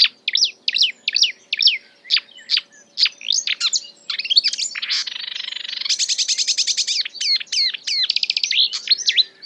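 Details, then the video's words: Marsh warbler copying other species: separate whistled notes at first, then a harsh buzzy stretch and a rapid metallic rattle, closing with quick chattering phrases. "A marsh warbler (Acrocephalus palustris) imitating other birds"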